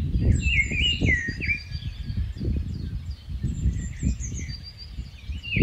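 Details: Rufous-tailed scrub robin, migratory, opening with clear descending fluty warbles, then quieter twittering phrases and a final rising note. Dense high chirps of other birds and gusty wind accompany it.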